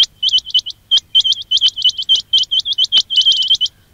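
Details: Recorded quail calling sound for luring birds, dense and nearly continuous: bright, high chirps that each hook upward, tumbling in fast overlapping clusters with only brief pauses.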